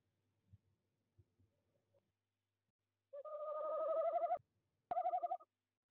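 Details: Tawny owl in the evening at a De Mortel nest box, 26 January 2021: faint knocks, then a rising tremulous hoot of over a second with rapid wavering, and a short final quaver after a click.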